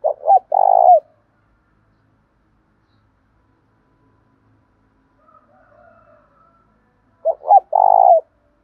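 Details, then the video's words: Spotted dove lure bird calling in thổ pha style: a three-part coo phrase of two brief notes and a long trembling note. After about six quiet seconds with a faint distant coo, the phrase comes again. "cu gáy thúc đấu giọng thổ pha, cu gay kich boi nhanh noi"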